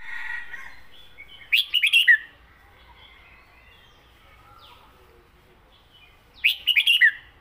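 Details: Caged red-whiskered bulbul delivering its southern-style song: two matching phrases of four or five fluty, bouncing notes, repeated about five seconds apart, clear over a quiet background.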